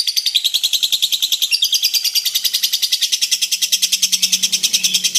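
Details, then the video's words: Lovebird giving its long chatter, a rapid run of high, harsh chirps repeated about three times a second with steady rhythm; a faint low hum joins near the end. "LOVEBIRD NGEKEK PANJANG HAMPIR 4 MENIT"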